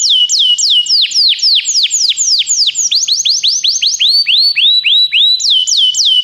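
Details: Canary singing, played to encourage a pet canary to sing: fast, steady series of ringing downswept whistles. The notes switch partway to upturned notes and back, in loud, continuous high-pitched song.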